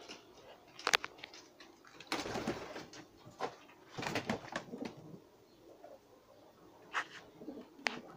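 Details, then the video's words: Homing pigeon squabs close to feeding themselves, with bursts of harsh, hissing wheezes and flapping rustles in two longer bouts, then sparse single squeaks and taps. "Posta Yavrularımız yeme düşmek üzere"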